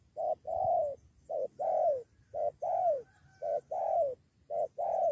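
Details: Spotted dove at a lure site, one bird calling a companion to join against the decoy, nearly a two-against-one fight: low paired coos, a short note then a longer down-slurred one, repeated about once a second.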